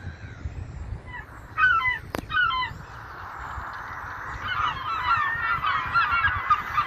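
Gulls give harsh, nasal, laughing calls in quick overlapping bursts, several birds at once, over a steady roar of surf.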